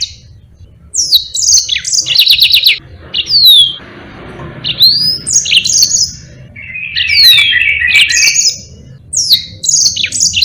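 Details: Yellow-fronted canary singing actively in long rolling phrases, kept as a tutor for training other songbirds: bright whistled slurs and rapid buzzy notes in bursts, then a fast chattering trill near the end with brief pauses between phrases.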